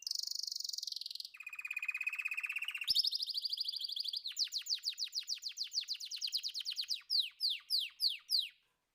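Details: Singing canary moving through several tours: a high steady trill, a lower buzzy roll, then a fast run of rising slurred notes. These slow into widely spaced downward-sweeping whistles.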